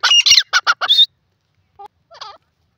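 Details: Francolin (teetar) giving a quick run of five harsh, broadband chattering notes in about a second, followed by two faint, brief squeaky notes after a pause; otherwise silent.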